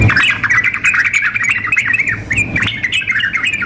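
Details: Female sooty-headed bulbul calling a male, with an energetic male, as a contest simulation: continuous chattery, bubbling phrases of quick slurred notes with a slight pause midway, a faint low hum underneath.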